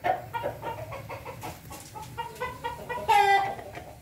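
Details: Ayam Ketawa chicken recorded 20 May 2024, a hen mentioned nearby: a run of short rhythmic clucks, then a brief loud harmonic crow-like burst near the end.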